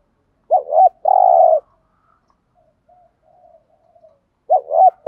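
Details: Spotted dove 'thúc gù' coo used to draw in wild doves: one wavering double hoot and a long rolling coo, then faint low murmurs before another double hoot begins.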